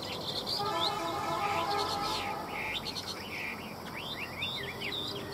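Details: Chinese hwamei kept by a seller in Vietnam gives rough, noisy notes first, then a quick sequence of clear looping whistles and slurred phrases, over steady low hum.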